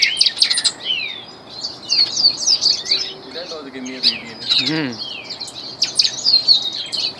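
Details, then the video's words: Song of a trained Ultramarine Grosbeak, known locally as reinamora: rapid bursts of high chirps and swooping whistled notes in uneven phrases, with a lower, fainter wavering sound midway and steady low hum beneath. "Reinamora adiestrada"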